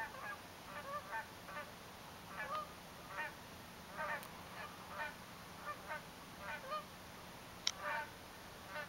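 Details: On a winter sunrise on Salt Spring Island, Canada, on 2 February 2011, several Canada geese honk repeatedly: about fifteen nasal, slightly two-toned honks in nine seconds over a low steady hum.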